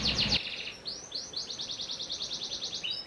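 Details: Brief loud chattering burst from a panda canary, then a string of clear slurred notes repeated rapidly and evenly to the end.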